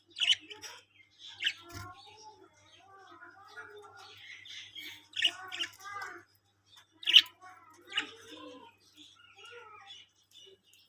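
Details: Colony of Australian parrots (budgerigars) giving a run of sharp, high chirps and short squawks in scattered bursts, with softer warbling chatter between them and a faint low thump near the start.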